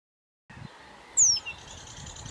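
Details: Young Eurasian penduline tits foraging on the shore of Zámecký rybník pond in Chropyně on 3 July 2019. One loud, thin, high whistle slides downward, with fainter high chirps and a low rumble of background noise.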